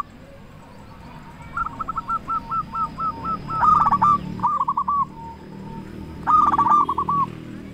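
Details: Loud-voiced local zebra dove singing, a lure recording meant to stimulate quiet doves to sing. A run of about ten even, evenly spaced coos leads into rapid rolling trills, then two more short bubbling bursts.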